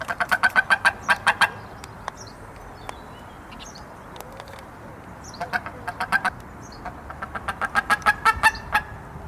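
Wedge-tailed eagle giving two bursts of rapid, thin yelping notes, about eight per burst, over steady background hiss with faint high chirps of small birds.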